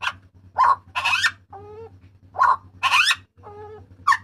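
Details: Papuan butcherbird giving its loud, harsh cry for training cage birds: raspy broadband shrieks alternating with lower nasal, wavering notes, in two similar phrases, over a steady low hum.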